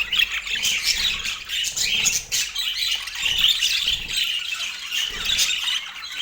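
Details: Parakeet kept as a pet, calling during morning feeding on an autumn day; continuous shrill, buzzy chattering with short squawks rising and falling in loudness throughout.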